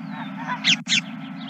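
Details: Geese at a ranch on 31 March 2023 around 21:26: two loud, harsh, closely spaced honks in quick succession, with fainter calls before them and a steady low hum throughout.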